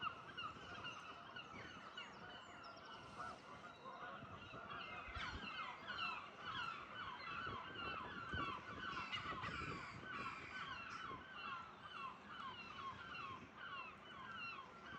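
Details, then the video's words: Several gulls calling at dawn in the morning at a caravan park; harsh, overlapping calls repeat constantly from many birds at once, with a steady background hum beneath. "Seagulls calling at the caravan park"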